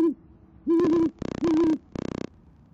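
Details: Deep, steady hoots from a great horned owl pair at an Oklahoma City nest on a January evening, female calling the male in, broken by harsh crackling bursts of noise between and over the calls.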